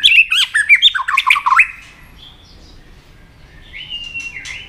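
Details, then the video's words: White-rumped shama stimulated to fight-sing; a rapid burst of tumbling whistled slurs and clicks, followed by quiet, then a soft thin steady whistle. "kích lửa cho chòe lửa hót"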